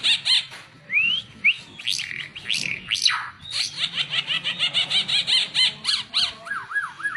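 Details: Master song of an oriental white-eye for tutoring other birds, opening with rising whistled slurs, then loud varied chirps flowing into a quick rhythmic series of notes and ending in short up-and-down whistles.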